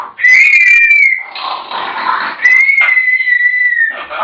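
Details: African grey parrots producing two long, pure whistled notes that hold steady in pitch, with rougher chatter between and after them.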